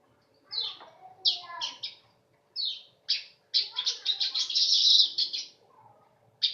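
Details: Weaver song, described as sharp to the ear and close to a canary's: bursts of high, scratchy, downward-slurred notes, then a dense rapid chattering run of chirps lasting over a second, with faint lower chatter underneath.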